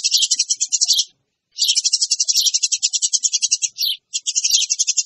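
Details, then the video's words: Noisy Eurasian tree sparrow lure: fast, rattling chirp sequences, nearly continuous apart from a half-second gap, with the notes packed tightly together. "SUARA PANCINGAN BURUNG GEREJA RIBUT"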